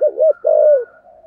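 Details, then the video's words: Spotted dove decoy with a 'thổ'-style voice used to attract wild birds; a single brief phrase of two rounded coos followed by one long, gently falling note. "Chim Cu Mồi - cu gáy giọng thổ kích bổi rất hiệu quả"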